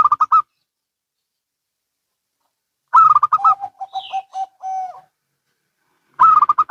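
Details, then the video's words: Local and Bangkok-type zebra doves calling back and forth: loud bursts of five rapid, bubbling staccato coos, then a softer trail of lower, evenly spaced coo notes ending in a drawn-out note, with another burst starting. "Perkutut Lokal & Bangkok Bunyi Saling Bersahutan"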